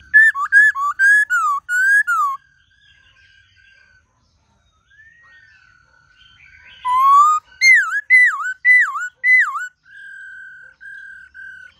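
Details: White-cheeked laughingthrush singing a varied, many-voiced forest-style song used to train young caged birds: loud bursts of rich whistled notes, some slurred and dipping, in two phrases separated by a quiet gap with a faint steady tone.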